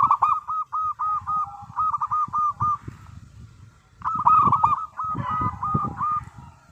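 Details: Local zebra dove song for luring other doves: two runs of rapid, evenly repeated coos separated by a quieter gap, with low thumping noise underneath.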